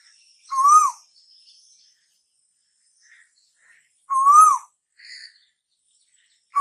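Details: Asian koel, whose call is said to announce summer: two clear whistled notes swelling up and then down, about three and a half seconds apart. Soft, faint high calls follow, and a third note begins at the very end.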